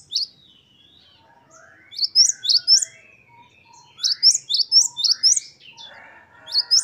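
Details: Great tit singing in the energetic 'wucit-wucit' style used as a training recording for other birds: short bursts of high two-note phrases, rapid and sharp, separated by pauses, with fainter lower warbling notes underneath.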